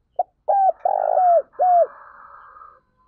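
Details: Spotted dove used as a lure bird to train and excite other doves, cooing: a short note, then two longer level coos and a final falling coo, followed by a faint lingering hum.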